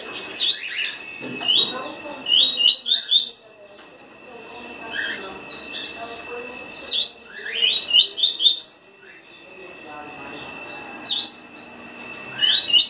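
A green-winged saltator sings quick bursts of bright, slurred whistled notes, some rising, in phrases a few seconds apart, over a thin, steady high tone.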